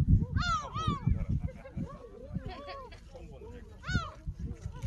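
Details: Gulls calling at Jeongok Port by Jebudo Island in Korea, captured by smartphone on a walk: a few loud, bent, wailing cries in two bursts, with steady low rumble and scuffing underneath.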